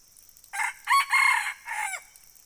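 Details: A single red junglefowl crow: a brief first note, then a sharp rising note, a sustained strident middle and a descending end, set against a constant high-pitched insect drone.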